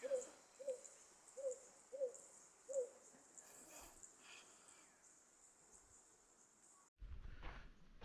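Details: Narina trogon calling on a morning waterfall hike at Swadini Resort in the Blyde River Canyon, a series of five soft, low, owl-like hoots, evenly spaced, over a steady high insect drone, then a brief knock and rustle; it keeps calling while being located.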